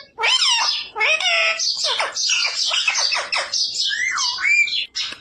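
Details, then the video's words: Talking parrot imitating human speech, repeating Hindi phrases such as a request to give the parrot roti, in a run of loud, nasal, squawky syllables with sliding rising and falling tones and brief pauses between phrases. "इंसान की तरह बोलने वाला अद्भूत तोता🥰parrot talking radhe radhe"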